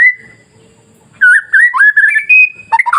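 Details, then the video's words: White-rumped shama song used as masteran to make other shamas sing: a long steady whistle, a pause, then a flowing run of clear whistled notes climbing higher before a quick warble. "SUARA MASTERAN KICAU MURAIBATU Pancing Murai Lain yang Takut Jadi Emosi dan gacor"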